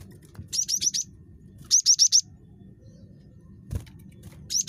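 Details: Chatty cinereous tit (gelatik batu) meant to lure other birds into calling: two rapid series of four or five high whistled notes about a second apart, then a single knock and another burst starting, over low hum.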